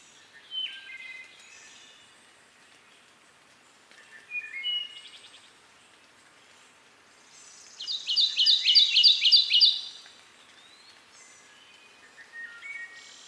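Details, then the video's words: Eastern North American Kentucky warbler delivers one loud song of about seven quick, rolling, repeated slurred phrases near the middle. Quieter flute-like wood thrush phrases sound at intervals in the background throughout. "Kentucky Warbler Bird Song"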